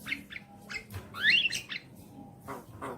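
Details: Javan myna recorded as a lure to prompt a caged bird to sing, giving a harsh mix of short buzzy chirps and squawks with a brighter rising whistled phrase near the middle, over a quiet background hum.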